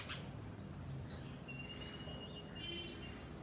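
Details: A house sparrow from a flock in a garden gives two short, bright chirps about two seconds apart, with faint thin whistles between, over a steady low background rumble.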